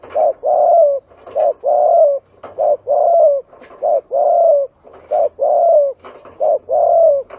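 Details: Spotted dove calls used to lure doves: pairs of a short coo followed by a longer rolling coo, repeated steadily about every one and a half seconds, with faint clicks between.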